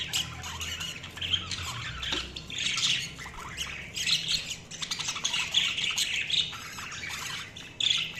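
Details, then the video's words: Chirping budgerigars in a steady, busy chorus of harsh squawks, buzzy warbles and quick chirps, rising and falling in bursts with no pauses, plus a sharp louder note at the end. "Budgies Sounds| Budgies Chirping sound"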